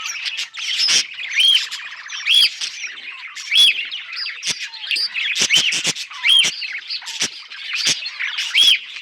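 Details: Cheerful budgerigar song: rolling scratchy chatter with a repeated arched whistle recurring about every second, mixed with sharp clicks and brief buzzy trills.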